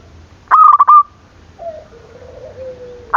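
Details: Zebra dove, sung to provoke rival doves: one loud burst of rapid clipped coos ending in a held note, followed by soft low gliding coos and the start of another phrase.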